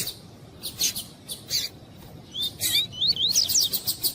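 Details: A female double-collared seedeater calls to stimulate a fibra-type male: scratchy broadband bursts at first, then a string of bright, wavy whistled notes climbing and falling, ending in more rapid rasping pulses.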